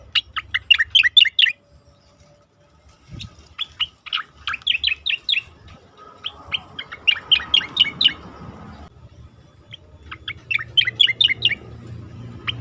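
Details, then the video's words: Asian pied starling singing in a recording made to train competition birds: rapid rattling series of bright chirps, about four per second, in several bursts separated by short pauses. "khas cica koreng suara shahduh sangat bagus untuk masteran burung lomba"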